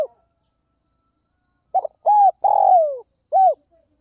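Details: A spotted dove calls at dawn to draw in other doves: a quick stutter, an arched coo, a drawn-out falling coo, then one more rounded coo, clear against silence.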